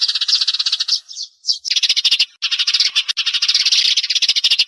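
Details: Sparrow calls meant to draw birds to glue traps: busy, shrill chirping, a short squeaky note near the start, then a brief pause before a loud, continuous twittering chorus of several birds.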